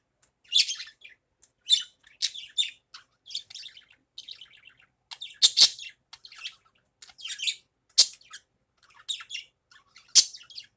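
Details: Steady morning chatter from a budgerigar: repeated high, scratchy chirps and squeaks roughly every second, varied in loudness, with no other sounds.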